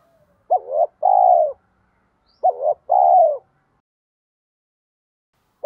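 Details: Lure-style 'thúc gù kèm mắt me' cooing of a bronze-voiced spotted dove, meant to draw wild doves in. Two low two-part coos, each a quick wavering note then a drawn-out steady coo, with a third phrase starting at the end.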